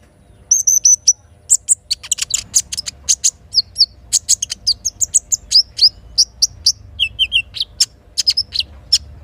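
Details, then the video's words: Little spiderhunter singing in the morning, kinin-filled song used to stir birds into song: an extended rapid mix of high ticks, short whistles and a few lower slurred notes, over a faint background hum. "Terapi Sogok Ontong isian kinin Pancing Gacor Pagi Hari"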